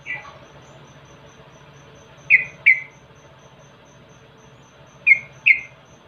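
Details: Yellow-vented bulbul (Pycnonotus goiavier) call, used as a lure recording: short, bright chirped notes in quick pairs about every three seconds, over a low steady hum and a faint high insect-like tone.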